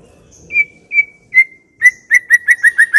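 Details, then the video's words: White-rumped shama song used to draw other shamas into singing, a series of clear whistled notes that starts spaced out and then quickens into a steady run of about seven notes. "Pancingan murai yang belum bunyi, sekali klik Auto nyaut"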